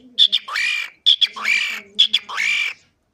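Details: Pet cockatiel in three repeated phrases. Each has two sharp squeaky notes followed by a longer raspy, squawking syllable that rises at its start. The phrases are spaced about a second apart in a quiet room.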